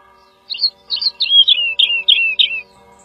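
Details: Woodlark phrase of slurred, falling notes, each swooping downward, given in a slow, uneven sequence of about seven elements; soft low hum in the background.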